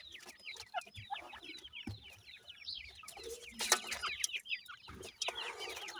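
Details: Sindhi grey francolin chicks feeding, rapid high-pitched chirps falling in pitch and overlapping from many birds, mixed with clattering and scratchy noises around the middle and end.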